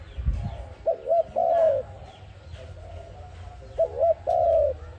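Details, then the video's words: ARIMIX dove cooing, used as a trapping lure: two phrases, each two quick hollow notes followed by a drawn-out descending coo, with soft low rumble behind. "Sound of ARIMIX dove quality sound to use for trap"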